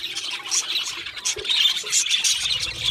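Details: Budgerigar flock chattering, fast scratchy warbles and bright squeaks in pulsing bursts, one short lower squawk amid the chorus.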